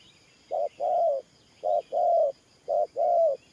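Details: Spotted dove cooing in the 'thổ pha nước' style as a trapping decoy, three clear pairs of notes, each a short coo leading into a longer, slightly falling coo, soft distant chirps above.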